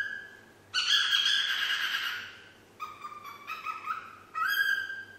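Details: Pet parrot, a 9-month-old female, practising the Yankee Doodle tune: a long bright whistle for over a second, then a string of shorter stepped whistled notes and a final rising note.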